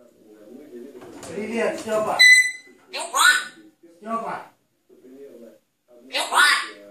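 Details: A pet grey parrot saying its first words, chattering in short word-like bursts with one bright whistled note among them, while a television voice talks in the background.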